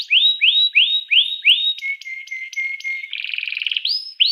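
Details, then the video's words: Canary song used as a lure to make other canaries sing: loud repeated upswept whistles, a long flat whistled tone with sharp accents, a brief buzzy trill, then more rising whistles. "suara kenari ini 99% jitu sekali membuat kenari lawan gacor"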